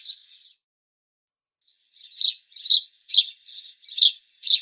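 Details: Urban house sparrow: a soft twitter, a pause, then a rapid series of loud, sharp chirps, about two per second, evenly spaced and similar in tone.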